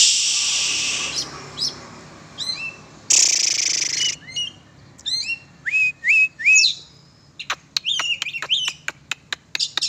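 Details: Oriental magpie-robin (kacer) during an exercise session: loud hissy bursts alternating with clear upslurred whistles, then a fast series of sharp ticking notes mixed with bright chirps.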